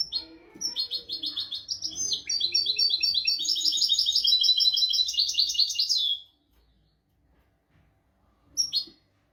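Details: European goldfinch performing a royal-style song used to tutor goldfinches and canaries: a sustained six-second run of fast, buzzy, high-pitched trilled twittering, then quiet and one final short chirp.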